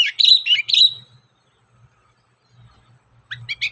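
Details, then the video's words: Long-tailed shrike, active 'gacor' singing used as a lure: a quick warbled phrase of rising and falling twitters, two seconds of near silence, then a fresh run of bright chirps begins. "SUARA BURUNG CENDET GACOR, PANCINGAN CENDET BAHAN AGAR CEPAT GACOR"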